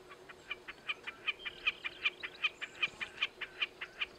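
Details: Wilson's snipe perched on a fence post, Alberta foothills south-west of Calgary, warm July day 2017: a steady run of sharp, mid-high notes about two and a half per second, evenly spaced, over faint hiss.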